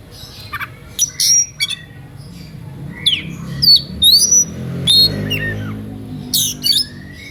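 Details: Oriental magpie-robin in lively, emotional song that draws rival birds into singing; scattered sharp chips, swooping whistles and scratchy bursts spaced across the phrase.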